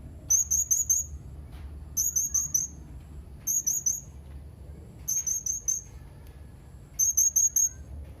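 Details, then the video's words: Blue-crowned hanging parrot giving five tight bursts of four very high, thin, sharp whistled notes, each burst returning roughly every one and a half seconds, with quiet gaps and a faint low hum between. "Suara serindit ini"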